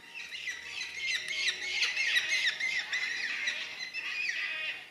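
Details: Yellow-tailed black cockatoos feeding on bottlebrush and banksia flowers in Tasmania, Australia: a dense, continuous chatter of harsh, scratchy squawks, several overlapping each second, high and raspy throughout.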